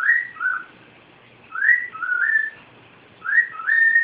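A cockatiel whistles a short two-part tune three times, each a clear rising note sliding into a lower, drawn-out one, with quiet pauses between.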